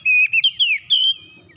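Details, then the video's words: Short burst from an oriental magpie-robin's morning lure song: a few steady whistled notes that climb into a long, smoothly sliding whistle. "PANCINGAN PAGI KACER SUSAH BUNYI LANGSUNG GACOR NGOTOT BONGKAR ISIAN"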